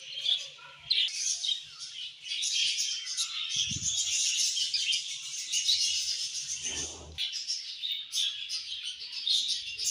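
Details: Budgies singing in the evening, a busy high warbling chatter of squeaks and scratchy notes running almost unbroken, briefly interrupted by a soft low thump and a rattling noise near the middle.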